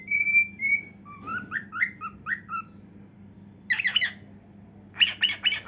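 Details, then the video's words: Dancing pet cockatiel whistling: clear level whistles, then a rising and falling run of warbled notes, followed by two bursts of rapid harsh chattering chirps, with a faint low hum behind. "Cockatiel Dancing & Singing"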